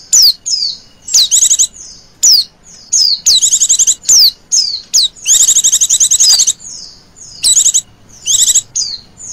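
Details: Oriental white-eye female calling to draw in other birds: a run of sharp downward-sweeping whistles alternating with dense high trill bursts, the longest burst about a second and a half.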